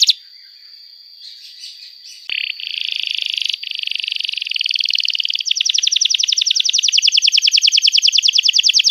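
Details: Canary singing long and vigorously, used to prompt young canaries learning sounds: a thin sustained whistle, then a dense buzzy warble that builds into a steady fast trill of repeated notes, growing louder.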